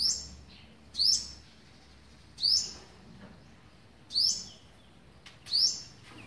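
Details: On 27 November 2019, the eleventh day of feeding young, an olive-backed sunbird gives five bright, high, downward-slurred chips at uneven spacing over a low background hum.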